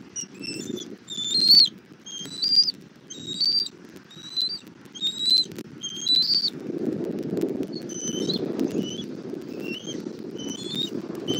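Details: Southwest Florida bald eagle nest, 1 April 2024 at 17:30, the mother arriving with food for her chick: repeated thin, high whistled notes about once a second, fading to quieter chirps as low wind noise rises.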